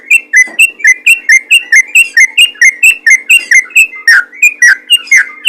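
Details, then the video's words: Yellow-vented bulbul calling to other bulbuls: evenly paced, clipped chirps about two to three per second, bright and slightly down-slurred, with a few fuller notes late on, over a low mechanical hum. "PANGGILAN BURUNG TRUCUKAN GACOR MEMANGGIL TRUCUK LAIN"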